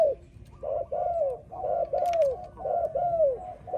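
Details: Spotted dove song for training, repeated hollow coos, each rising briefly then drooping in pitch, steady about once a second, with a faint click near the middle.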